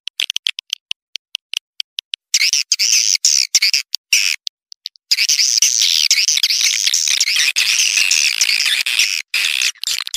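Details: Swiftlet calls used as a lure to attract swiftlets: dense, buzzy, high chirps in overlapping wavy bursts, starting with scattered clicks, then running almost continuously after five seconds.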